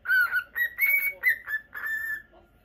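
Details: Pet cockatiel in Japan, a Normal Lutino male; loud whistled notes, the first lower and flat, then higher sliding whistles in a short burst, fading at the end.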